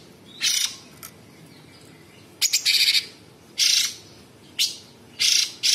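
A sooty-headed bulbul gives harsh, hissing rasps in short bursts, about five in six seconds, some with a thin high whistle inside; a quiet background hum.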